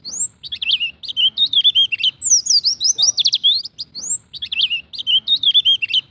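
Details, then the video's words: Ngalas wild-style song of the Oriental white-eye, played to prompt captive birds to start singing: bright high whistled phrases with quick trills and wavering notes, the pattern repeating about every two seconds, over a soft low background hum. "Pancingan pleci bahan agar cepat bunyi ngalas"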